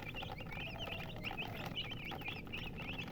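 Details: Chicken chirping: short, rising and falling peeps repeated several times a second from more than one bird, with a constant low background drone.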